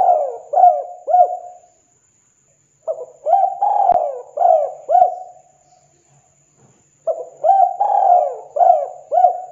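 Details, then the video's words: Spotted dove cooing, used to make other doves reply: three phrases of low, mellow coos, each a long falling note mixed with short rounded notes, separated by silent pauses. "TEKUKUR DERKUKU JENIS APAPUN PASTI TEKUKUR BAKALAN IKUT NYAUT BUNYI & GACOR"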